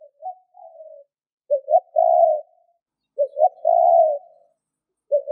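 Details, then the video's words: Spotted dove cooing as a decoy to provoke wild doves. Soft low introductory notes lead into repeated phrases of two short hoots and a long, drawn-out mellow coo, each recurring about every 1.7 seconds against a quiet background. "Chim cu gáy gù kích bổi nhanh nổi hiệu quả / Tiếng chim cu nghe là gáy"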